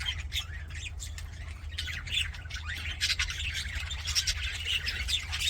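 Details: Happy budgerigars chattering: a dense, continuous stream of overlapping high chirps, squeaks and short squawks from several birds, with no pauses, over a steady low hum.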